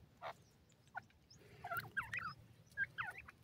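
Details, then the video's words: Baby francolins in forest cover: after a quiet start, soft, then clearer, high chirps in small bursts of two or three, with twisting up-and-down notes and faint low background noise. "dhobi teetar ke awaaz,francolin partridge bird baby in the forest"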